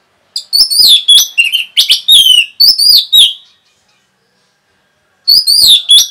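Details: Orange-headed thrush delivering fast song to get other birds singing: a three-second run of sharp, slurred, high whistles and chips, a pause of nearly two seconds, then another quick burst.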